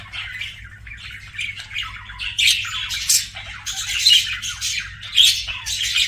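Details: Pet parakeets chirp softly at first, then break into louder grating squawks and quick twittering runs, with loud bursts near the second and fifth seconds.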